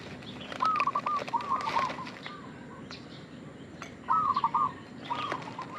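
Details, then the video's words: Local zebra dove (perkutut) used as a lure call: soft, stuttering bursts of rolling coos in two bouts a few seconds apart, with scattered clicks and rustling. "Perkutut lokal gacor suara pancingan"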